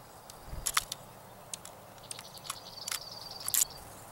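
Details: Junco in a mid-April snowstorm, with other birds also coping with the snow: a thin, even trill high in pitch runs for about a second and a half, among scattered sharp chips and faint clicks.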